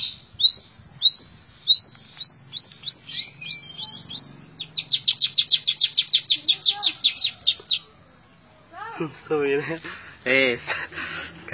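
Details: Long-tailed shrike in continuous 'tembak ngebren' song: high chips speeding into a fast, even trill of about twenty rapid notes, followed after a pause by harsher, lower, wavering notes.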